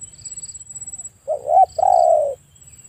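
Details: A spotted dove gives one soft cooing phrase: a wavering doubled note followed by a longer, slightly falling hoot, over a low rumbling background and a thin constant high tone.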